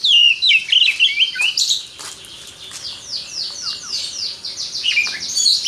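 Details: White-rumped shama, a champion songbird released to sing, opens with loud warbled whistles, then runs a rapid series of repeated downward-sweeping notes, about four a second, before closing with high whistles.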